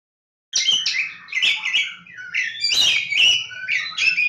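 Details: Javan Oriental magpie-robin (kacer Jawa) from Lebakgowah singing a rich, varied run of loud whistled and buzzy phrases, rapid notes jumping between high and mid pitch after a brief silent start.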